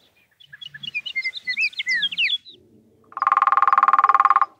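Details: A male Scott's oriole sings a rich, warbled whistling song in desert juniper woodland at Juniper Hills, then a ladder-backed woodpecker drums a fast, even roll of about fifteen beats a second for a second and a half, drumming serving as its song.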